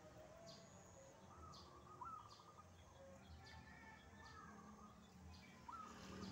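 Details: A wild zebra dove calls back to a caged dove at a house in the morning. Its soft phrases open with an upward-sliding note and break into a quick rolling tremolo, repeated a few times over steady outdoor hum.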